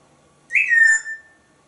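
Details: Pet parrot at home with its owner gives a single short whistle that jumps up and then glides down, with faint high overtones.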